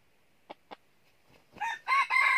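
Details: Red junglefowl used as a decoy to lure wild junglefowl into a trap in the north: two short clucks, a pause, then the start of a loud, harsh crow rising in strength and cut off at the end.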